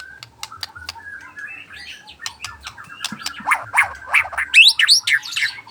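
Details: White-rumped shama singing in the afternoon: a quiet run of sharp chips and short whistles that builds into louder, rapid slurred notes rising and falling toward the end.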